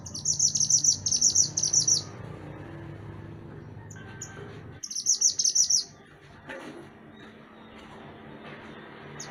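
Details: Songbird known as mantenan gunung, recorded as a master track for songbird training: two bright bursts of fast, high-pitched twittering notes about three seconds apart, then faint scattered chips over a low background hum.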